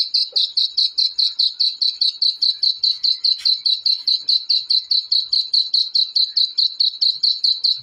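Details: Black francolin chicks giving a steady run of high, thin peeping notes, about two to three per second, evenly spaced and unbroken, with no other clear sounds; the calls are offered to excite adult francolins.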